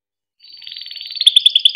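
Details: Timbrado canary song fragment for training: a soft buzzy trill that builds in loudness into sharp repeated high notes, clean and without background noise.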